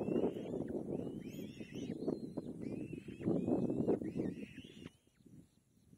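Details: Begging from a young kite while its mother feeds it: a run of arched, slurred whistles, several per second at first and then fading out, above a dense low rumble of rustling and movement.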